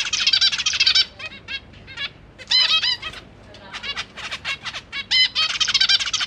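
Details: Newly fledged zebra finch babies in a big cage beg while their parents feed them, January 2023, GoPro Hero 8; rapid, buzzy strings of harsh harmonic notes alternate with single nasal calls and short pauses.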